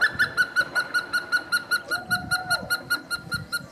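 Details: Hemprich's hornbill (Lophoceros hemprichii) calling at Wollo University or Dessie, Ethiopia: a fast, even series of reedy piping notes, about five a second, with a brief lower whistle midway and faint background rumble.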